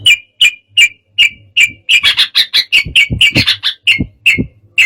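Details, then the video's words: Yellow-vented bulbul singing agitatedly, a song said to provoke rival birds into singing: short bright chirps repeated about every half second, bunching into fast scratchy phrases midway, with low knocking thuds underneath. "KICAU SUARA BURUNG TRUCUKAN EMOSI, BIKIN LAWAN LANGSUNG BUNYI"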